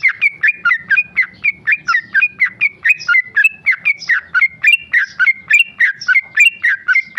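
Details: A tame male trucuk, or Sooty-headed bulbul, pours out ropel song: fast chains of liquid whistled notes, each phrase rising then falling, repeated nearly four times per second for seven seconds, clear and loud.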